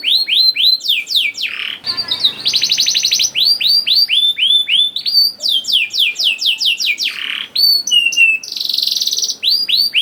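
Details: Canary song played to coax juvenile canaries into singing: quick repeated curved whistled notes, several buzzy rattling trills, and varied rolling phrases, about four notes per second.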